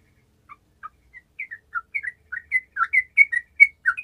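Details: Gacor song from a sooty-headed bulbul, used to make lazy bulbuls respond: clear whistled notes that start soft and sparse, then grow louder and quicker, each a short rising or falling slur, in a clean quiet recording.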